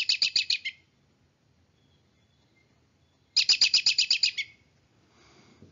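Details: An American Robin, a call both sexes give, produces two quick, high, whinny-like bursts of about ten rapid chattering notes each, separated by a pause of roughly two and a half seconds.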